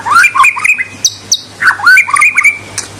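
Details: A white-rumped shama gives quick, varied song phrases meant to provoke rivals: twisting whistled notes, a high thin buzzy whistle, then another looping whistled phrase, all lively and loud.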